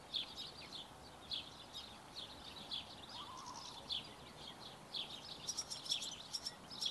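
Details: Barn swallow chicks being fed beg with high, thin twittering chirps in bursts about once a second, quickening into rapid, sharp pips near the end over faint background hiss.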